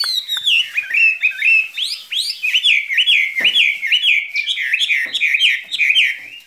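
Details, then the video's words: Caged skylark in a spring love song: rapid, continuous, high warbling with rising whistled slurs and rolling trills, about two notes a second. "Chim quý ở lồng son ca bản tình ca mùa xuân"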